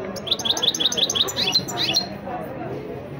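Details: Goldfinch singing and rolling: a quick string of high, bright chirping notes in the first two seconds, some rising slurs, then quieter background with faint voices.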